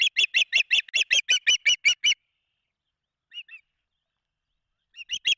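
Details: Rapid string of roughly twelve sharp, high whistled chirps from an Osprey at a Charlo, Montana nest on 16 June 2024, while the male delivers a big fish and the female feeds three chicks. A brief pause follows, then a few more notes.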